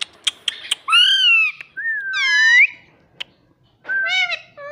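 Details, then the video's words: Pet ring-necked parrot makes shrill, slurred whistles and a long rising whistle-like call, preceded by quick clicks, indoors. "Talking parrot || mummy mummy mitthu mitthu bolta tota"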